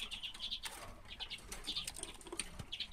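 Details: Short twittering chatter from common redpolls, recorded in 2016: brief clusters of clipped notes at the start, middle and end, broken by wing flutters and soft thumps.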